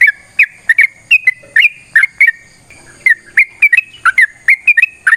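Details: Sooty-headed bulbul delivering a long fighting song as a prompt for others to sing; rapid chains of fluty, slurred whistles with a short pause near the middle.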